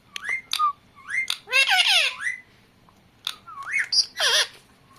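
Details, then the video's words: Pet talking parrot indoors producing squawky speech-like syllables and bending whistles, in short bursts separated by brief pauses. "New talking parrot"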